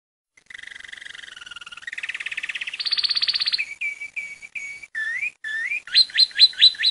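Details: Saffron finch song: a long, fast, buzzy trill that climbs in pitch and grows louder, then a run of short whistled notes and rapidly repeated bright upslurred chips. The background is clean and quiet.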